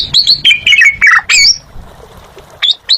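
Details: Asian pied starling in full song (gacor): a fast chain of squeaky, slurred whistles and harsh notes, followed by a pause and two short high whistled notes.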